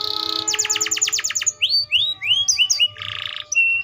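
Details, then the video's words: Atlantic canary song with a steady buzzy tone, then a fast roll of short falling notes, several separate rising whistles, a harsh buzzy burst and brief flat whistles. "THE VOICE OF THE CANARIA SERINUS BIRD"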